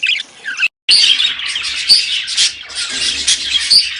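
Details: Budgerigars making a sound meant to stimulate breeding: dense, scratchy chattering warble of several birds, broken by a brief silence near the start, then continuous overlapping chirps and squeaks.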